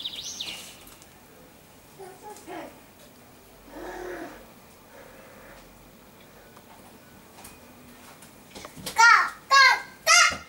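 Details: A common starling, recorded 20 May 2016, gives faint chattering notes, then three loud, harsh, warbling bursts with wheezy rattling tones near the end, about half a second apart.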